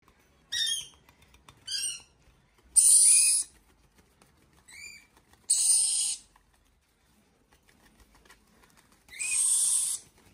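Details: Two young male yellow-streaked lories calling: harsh, broadband screeches in short bursts every second or two, some with rising tonal edges, separated by quiet gaps.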